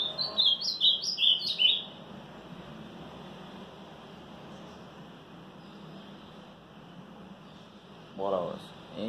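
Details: Ultramarine grosbeak singing 'batida forte' on the morning of 18 March: a burst of quick whistled notes for about two seconds, then quiet, and a man's voice briefly speaking near the end.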